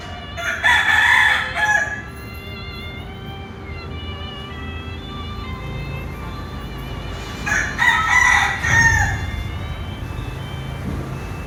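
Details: Two brother roosters calling to each other: two harsh, harmonic cock-a-doodle-doo crows, each about one and a half seconds long, about six seconds apart, with a low steady rumble of background noise between them.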